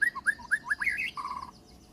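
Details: White-rumped shama, kept as a songbird, giving a brisk sequence of sweet whistled slurs rising and falling, then a short fast trill of even notes that fades out.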